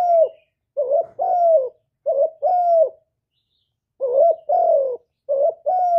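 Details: Kept spotted dove in a clean close recording, calling in the 'thổ thúc' style: rough, throaty coo phrases of a short note followed by a longer drawn-out one, repeated after a gap of about a second.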